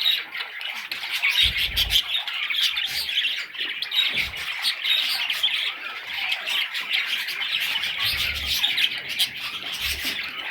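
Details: Harsh, insistent squawks from many young budgerigars overlap continuously, with a few soft thuds underneath.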